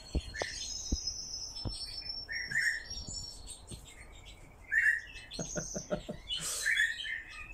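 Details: Pet nightjar kept at home gives three short, soft chirping calls spaced about two seconds apart; its owner says it missed them. Scattered clicks and a faint high whine behind.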